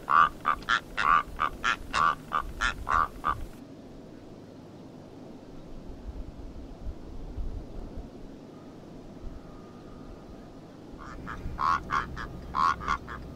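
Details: Rüppell's korhaan giving a rapid series of harsh, frog-like croaks, about nine in three and a half seconds, then a long quiet stretch before another burst of roughly six croaks near the end.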